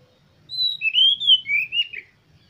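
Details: A single oriental magpie-robin phrase, meant as a lure to make other magpie-robins sing keenly. Clear, sweet whistles slide down, then rise and fall again, ending in a short burry note.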